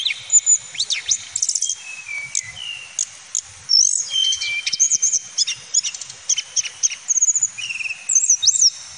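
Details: Male tledekan gunung (Hill Blue Flycatcher) delivering a long, continuous run of thin, high whistles, steep rising and falling slurs, brief buzzy trills and short chirps, the phrases tumbling into one another with almost no pauses.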